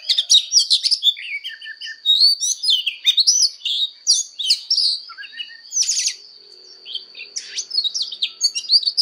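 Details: Voice-training fighting song of an Oriental magpie-robin: fast tumbling whistles and chattering notes in two long bursts split by a brief lull, a thin steady high tone underneath.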